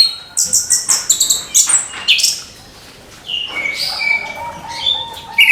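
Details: Morning song of an orange-headed thrush, opening with a rapid series of high piercing chips, then softer warbled whistles with a few clearer sustained notes near the end.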